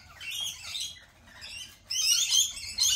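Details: Lorikeet chatter: raspy high squeaks in a short busy run, a lull, then a sudden louder burst of overlapping screeches.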